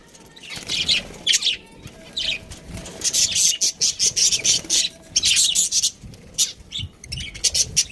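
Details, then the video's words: Pet budgie chirping: quiet start, then bursts of harsh scratchy chatter and sharp squeaky chirps in quick succession. "cute budgie chirping sounds"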